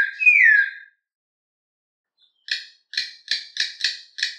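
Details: Campo troupial in canto mateiro style: one strong, falling whistle, a pause, then a rapid series of short, harsh notes repeated about twice a second.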